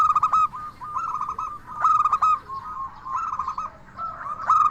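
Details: Lively local zebra dove in full song, meant to provoke other doves into replying: ringing, clipped notes running into rapid rolling coo series, with four or five phrases packed close together.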